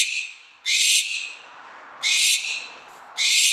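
Barn owl screams: three harsh, hissing, high shrieks, each about a third of a second long, about one every second and a quarter.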